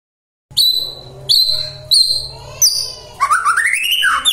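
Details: Magpie-robin song used to provoke responses from other magpie-robins, opening with several sharp high notes over a low hum, then a rising, rapid warbling phrase.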